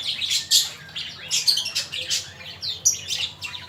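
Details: A male magpie-robin, used as a song model for training birds, delivers a string of high, harsh, scratchy notes and short chirps in quick, uneven bursts.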